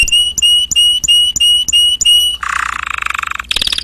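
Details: Canary singing: a clear whistled note repeated about three times a second, then a dense buzzy rattle, ending with a sudden high, fast trill.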